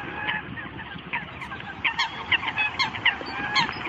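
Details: Eurasian coot flock calls, quiet at first, then a quickening series of short, sharp honks from several birds over a noisy background.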